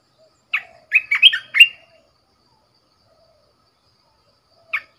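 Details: Caged red-whiskered bulbul kept as a decoy, giving a brisk phrase of chirpy, rolling whistles, then a lone note after a few seconds of quiet.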